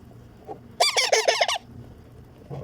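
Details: Baby Indian ringneck parakeet, a pet green parrot, begging while being fed: a burst of about seven harsh, rapid, arched squawks over less than a second, with faint room noise before and after.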